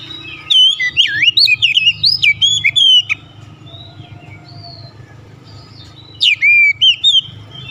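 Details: Oriental magpie-robin (kacer) pouring out rapid varied whistles and slurred notes for nearly three seconds, then softer scattered notes over a low hum, and another bright whistled burst near the end.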